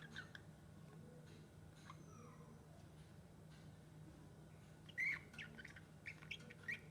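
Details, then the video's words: Pet lovebird making sweet sounds while playing with a bell: a few short, sharp chirps near the end after quieter scattered squeaks, over a steady low hum. "The Love Bird Chuti - Making sweet sounds while playing with the bell"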